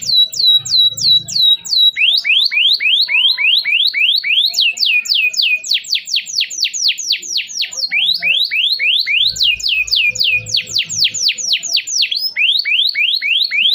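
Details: Canary singing a long sequence of sharp sweeping notes, mostly rising upward strokes repeated about three to four per second in shifting pitches; a lure to restart singing in silent canaries, occasional low thumps.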